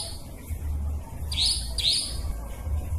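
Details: Nightjar call from a trapping lure: two quick high upslurred chirps half a second apart, set against a low droning background.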